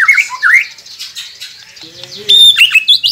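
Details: Song from a white-rumped shama training recording meant to get silent captive birds singing: harsh squawky phrases and quick sweeping whistles, a lower steady tone in the middle, then loud high rising notes.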